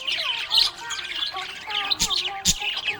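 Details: Happy budgie chirping in a continuous scratchy warble of high chirps and squeaks, with two louder clicks near the end.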